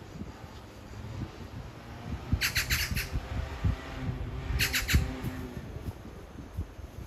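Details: Oriental magpie, apparently a courting pair calling to each other a few metres apart: two bursts of harsh, rattling chatter, each a quick run of four or five dry notes, over a low rumble of background noise.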